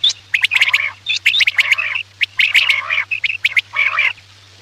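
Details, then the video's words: Quail call meant as a hunting lure at night, dense here: rapid sharp notes running into rasping, buzzy churring phrases in four busy bursts, a low hum throughout. "Batair ki awaz raat k liye|batair ki awaz shikar k liye"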